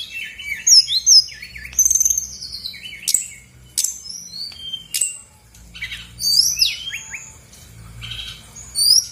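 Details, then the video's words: Lure song of a female Brown-chested Jungle Flycatcher from Bali, meant to trigger reluctant birds: bursts of sharp high chirps and wavering whistles separated by short pauses, with a few loud clicks. "PANCINGAN SRDC GACOR BONGKAR ISIAN/BURUNG MALAS BUNYI AUTO EMOSI RESPON NYAUT!!!"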